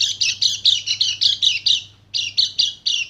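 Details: Dakun Bali white-eye heard as a lure sound: evenly spaced, harsh, high chirps about four a second, a brief gap near the two-second mark, then the spaced chirps resume.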